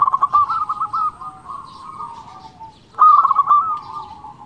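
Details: Zebra dove of a local strain singing vigorously, meant to provoke rivals: a quick series of clipped coos opening into a long wavering tone, a softer interlude, then a second loud stuttered phrase trailing into a sustained coo.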